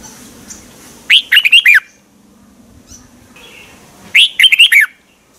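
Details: Red-whiskered bulbul (chao mao) song from Thailand, played to excite caged birds: two bursts of rich, warbling, bubbly phrases about three seconds apart, each quick run of slurred notes rising and falling, with quiet low background hum between.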